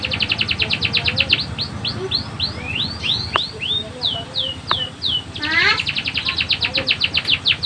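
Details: Singing canary with a vigorous, varied song: fast rolling trills of rapid repeated notes alternate with slower sweeping slurred whistles, then a rising burst and a renewed long rapid trill, over soft low background noise.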